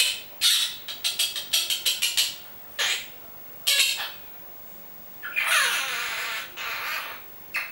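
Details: Pet monk parakeet at home that repeats its name and Italian words like amore, bacio, vieni qua and levati, heard as quick scratchy syllables in bursts, then a longer drawn-out raspy squawk.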